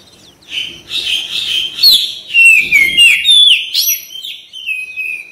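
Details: Kacer, the Oriental magpie-robin, singing in a recording used to spur caged birds to sing: dense run of warbled whistles and downslurred notes, nearly continuous for four seconds.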